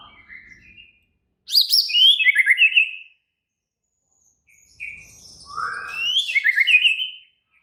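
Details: White-rumped shama singing in an agitated, excited state: two loud bursts of rich whistled and chattering phrases, sweeping notes and rapid trills, separated by a quiet pause.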